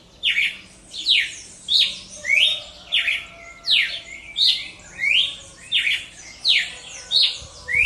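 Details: Singing cardinal (Paroaria) in natural surroundings, delivering a continuous run of bright, falling whistled phrases, about eleven in eight seconds, evenly spaced and loud, over quiet background.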